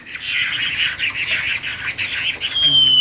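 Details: A tame caged Chinese hwamei sings a dense, rapid run of bright, high warbled notes, ending with a long clear whistle; faint low rumble behind.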